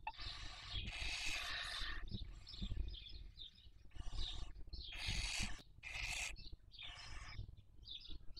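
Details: Barn owls rearing young in the 2023 breeding season at Cabañeros National Park, Spain, captured by nest webcam: loud extended rasping screeches, some a second long, mixed with softer wheezy notes and low rumbling noise.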